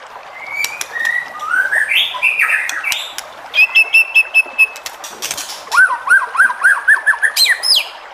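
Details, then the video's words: White-rumped shama singing to provoke rival shamas: varied whistled phrases and sharp ticking notes, then a run of six evenly repeated up-down whistled notes, ending in a high flourish. "MURAI BATU JENIS APAPUN PASTI NYAUT EMOSI DAN GAK BISU LAGI DENGAN SUARA MURAI BATU INI"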